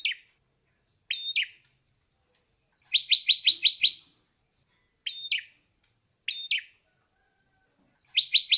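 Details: Ashy drongo alternating paired phrases, each a short level whistle followed by a falling note, with bursts of six rapid bright chirping notes, the phrases spaced roughly a second or more apart.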